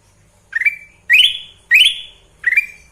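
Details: Sooty-headed bulbul, kept bird, repeating a short rising whistled call four times in three seconds, each note sliding up and ending in a brief held tone.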